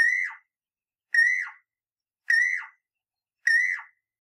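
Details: Southern African Levaillant's Cuckoo gives four loud, slightly descending whistled notes, each about half a second long, repeated roughly every 1.1 seconds, with no other sounds.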